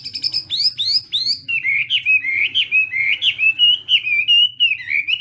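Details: Chinese hwamei doing morning voice training in a singing contest: three high rising whistles, then a flowing chain of warbled, slurred whistles with regular short gaps, clear and loud over a low hum.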